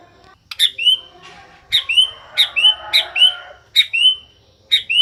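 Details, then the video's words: A white-rumped shama singing day and night repeats bright whistled phrases that rise and then slide down, roughly one every second, with softer twittering between them. "Murai batu siang malam kicau terus"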